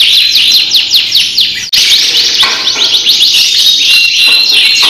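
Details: Champion canary from Central Java, Indonesia, singing in the giring style: loud, continuous, rapidly repeated high notes forming rolling trills, with a momentary break partway through before the torrent resumes.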